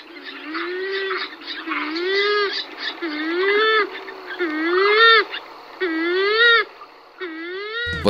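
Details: Purple swamphen, several pairs giving various calls and songs: a series of nasal, rising wailing notes with strong harmonics, repeated roughly every second, overlapping callers, ending in a sharp click.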